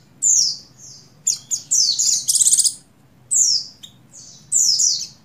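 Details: Breeding-condition female Oriental white-eye (buxtoni) calling the male to provoke him into song; shrill downslurred whistles in quick clusters, with one harsh buzzy rattling burst in the middle.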